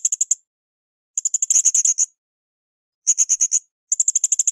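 Blue-crowned hanging parrot giving bursts of very high, thin, sharp notes in quick chattering runs of about half a second to a second, separated by short pauses.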